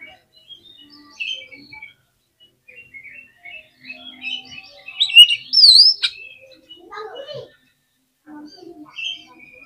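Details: Oriental magpie-robin in full song, used to provoke other magpie-robins into agitation on the cage hook: scattered high whistled and chirped notes, then a loud burst of sharp, rising-falling whistles midway, with a faint low hum.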